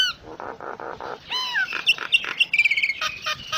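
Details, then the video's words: Common myna, locally jalak nias, in varied full isian song: a falling whistle, four gurgling rattles, another sliding whistle, then a fast jumble of sharp chips and high squeaks. "Suara Kicaun Burung Jalak Nias Full Isian"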